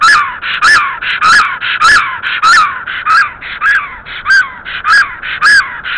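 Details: Black stork female returning to her nest in Estonia, 17 April 2014, around 12:47, calling loudly: a steady series of hoarse, rasping notes, about ten in six seconds, each with a brief wheezy rise at its centre.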